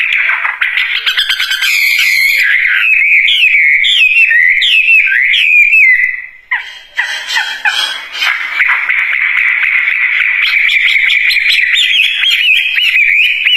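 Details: Wambie bird in long song. Harsh, crackly chatter leads into looping whistles that rise and fall, then a pause, then a sustained fast warbling trill of high whistled notes.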